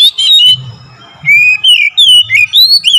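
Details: Oriental magpie-robin song used as a lure to make other birds sing: loud clear whistled notes between mid and high pitch, some rising and some falling, in short bursts around a quiet gap, over a low steady hum.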